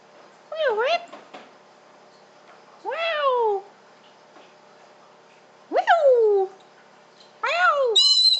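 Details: Pet Pink and Grey Galah, a male about one and a half years old, kept indoors; four loud harsh screeches, each a rising then falling nasal squawk, spaced about two seconds apart, with quiet room between.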